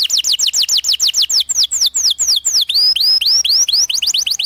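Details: Canary long song meant to train young birds: steady series of loud falling chirps, later stretching into rising slurred whistles before speeding up again.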